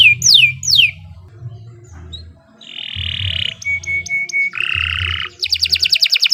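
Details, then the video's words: Canary singing a varied phrase: two descending whistles, long buzzy notes, a series of short repeated tones and a rapid closing trill, over a low hum. "Kicau Burung Kenari 132 II LUAR BIASA GACOR PANJANG"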